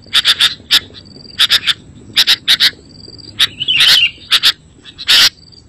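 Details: Sooty-headed bulbul lure song, used to call in bulbuls and make a caged bird reply: short groups of two to four sharp, bright chirps, repeated with pauses, plus a brief trilled flourish.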